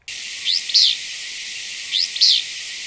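A Willow Flycatcher gives its sneezy, buzzy 'fitz-bew' twice, about a second and a half apart, each a quick upslurred note and a longer burry one, over steady hiss.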